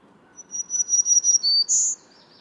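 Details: Black-throated Green Warbler song in Maine during nesting season: a run of thin, buzzy zee notes, a slightly lower zoo, then a final higher, buzzier zee (ZEE ZEE ZEE ZOO ZEE).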